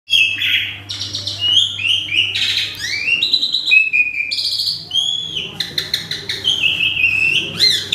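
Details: Agitated male Asian pied starling in full varied song: loud whistled notes, sliding rising and falling phrases and harsh buzzy bursts packed closely over eight seconds, with a steady low hum underneath.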